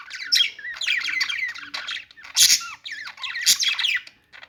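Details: Budgies chirp and warble in a rapid stream of twisting whistled notes and rasping chatter, with two loud harsh squawks standing out.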